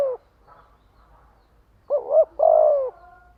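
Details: One spotted dove luring phrase to call in wild doves: a paired short rising-falling coo followed by a longer, level then falling coo, after a faint soft murmur.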